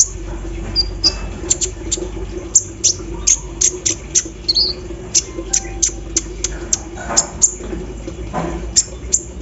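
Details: Caged kolibri ninja sunbird singing energetically after being misted with dew in the morning, its song filled with embroidery-machine imitations: sharp, very high thin chips repeated every half second or so, with short buzzy twitters between them, over a steady low hum.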